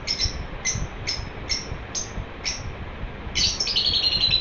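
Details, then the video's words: Happy pet lovebird repeats a sharp, high chirp about twice a second, then breaks into a louder, continuous chattering twitter at the end. "My cute Romeo is chirping happily."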